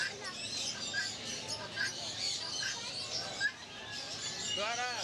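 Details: Quail colony: many overlapping thin, high chirps and twitters, with a louder rising-and-falling harmonic call near the end.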